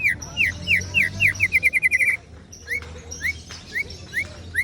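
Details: White-rumped shama singing in the ciung wanara style: a run of clear, sharply descending whistled notes repeated rapidly, about three per second, then faster and shorter; a few more spaced slurred whistles follow over a low background hum.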